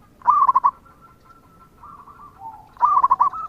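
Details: Local zebra dove in active song, used to prompt answering doves: two loud rolling coo phrases about two and a half seconds apart, with a faint run of cooing notes between.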